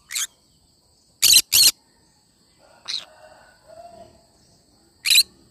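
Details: A cinnamon green-cheeked conure gives a run of harsh, clipped screeches, two of them back to back, then a softer squawk and a final sharp cry, with faint low tones between.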